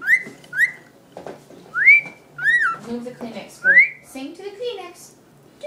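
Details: One-year-old male cockatiel kept indoors, singing to a tissue: quick rising whistles in pairs, then a sliding whistle and a patch of lower, chattering talk-like sounds.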